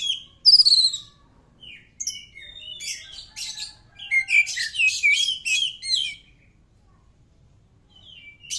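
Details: Oriental magpie-robin singing, used as a prompt for other birds to reply: a loud sharp whistle opens a fast, varied run of chirps, trills and slurred notes, then a quiet pause.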